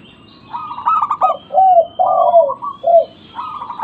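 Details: Local zebra dove used as a lure to get silent birds calling: stuttered, rapid cooing notes followed by lower, drawn-out coos that slur downward, repeated in short phrases. Faint low background hum.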